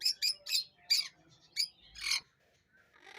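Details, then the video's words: Parrot calling with a run of short, harsh squawks and chirps, about six bursts in the first two and a half seconds, each bright and high, then a quiet tail. "parrot natural sound"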